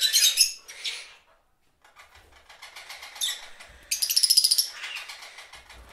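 Parakeets chirp in quick, bright, scratchy bursts, high-pitched and irregular, with a louder rapid chatter near the end; a brief pause interrupts early on.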